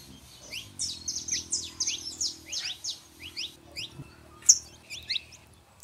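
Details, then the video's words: Saffron finches, a male and a female, meant to encourage a quiet canary: softer, more spaced high chirps and slurred notes, thinning out after three seconds, with a low droning hum early on. "canário da terra fêmea e macho pra esquentar seu canário frio"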